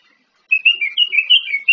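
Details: Orange-headed thrush singing in the morning, a rapid string of bright whistled and warbled notes that shift up and down in pitch, continuous for over a second with no other sounds.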